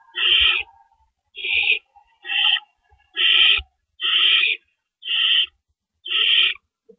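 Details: At an owl nest at night, April 4, 2012, while adults come and go with rabbits: repeated harsh, noisy hisses, seven bursts in seven seconds, with faint low thumps between.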